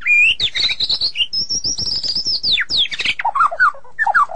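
A magpie-robin pours out a rapid, varied run of bright whistles and slurred notes, ending in lower, mellower descending phrases.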